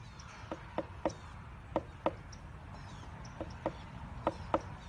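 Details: Pileated woodpecker pecking at a bat house in Cedar Point Park. Sharp, dry wooden knocks come singly or in quick pairs at uneven intervals, about ten strikes in five seconds, over a low steady background rumble.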